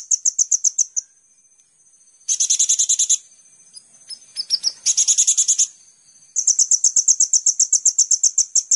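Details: Sunbird known as kolibri ninja, in a master recording for songbird training: high, rapid chattering notes in runs, a few thin rising slurs in the middle, then a long even stream of clipped high notes.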